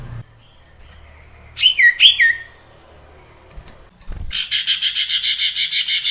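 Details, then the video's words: Male sirtu pressing a rival: two sharp whistled, down-slurred notes, then after a pause a rapid run of pulsed, buzzy high notes repeated about five times a second. "sirtu jantan menekan lawan menjadikan burung sirtu gacor"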